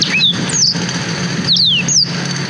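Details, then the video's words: A black-throated canary, recorded on a GoPro Hero 5 as a training tutor for young canaries, gives a few separate high, clear down-slurred whistles spaced about half a second apart over low hum. "Suara Blackthroat Durasi Panjang Untuk Masteran Kenari"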